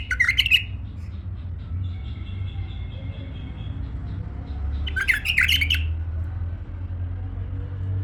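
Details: A tame male bulbul delivers two quick, bubbly whistled phrases about five seconds apart over a noticeable low rumbling background.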